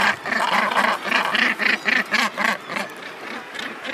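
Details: Northern gannets nesting on Helgoland's steep coast give harsh, throaty, rhythmic rasps, about four a second, in a steady pulsing chorus that trails off toward the end.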